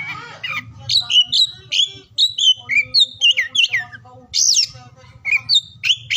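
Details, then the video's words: Varied song of an oriental magpie-robin, morning, midday and afternoon, aimed at getting silent or lazy birds singing: looping whistles and downslurred notes, a brief pause, then sharp high bursts. "KICAUAN KACER DI PAGI SIANG SORE HARI UNTUK MERANGSANG KACER BISU DAN MALAS BUNYI"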